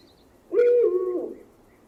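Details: Owl, recorded with 8D audio technology: a single clear, low, hollow hoot lasting under a second, with a flat pitch that drops slightly at the end, over a quiet background.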